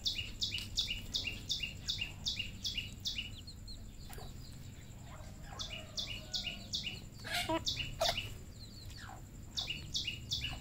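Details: Red junglefowl on a farm in Cambodia: rapid runs of high, sharp chirps repeated about two to three times a second, pausing midway, with scattered knocks and clatter in the background.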